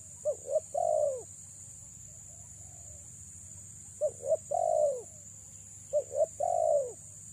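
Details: Female spotted dove calling to lure males: three low cooing phrases, each two short hooting notes followed by a longer, drawn-out descending coo, spaced a few seconds apart over a steady high hiss.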